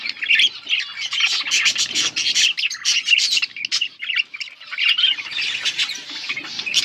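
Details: Chirping and singing budgies, August 19, 2024, giving an unbroken flock chatter of raspy squawks and high tweets, loud and dense throughout with brief dips in volume.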